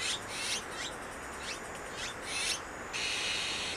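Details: Azure-winged magpies rearing chicks in Wonju's Maeji-ri, Korea: rapid hoarse, hissing rasps with quick upward sweeps, about two per second, ending in one longer drawn-out rasp.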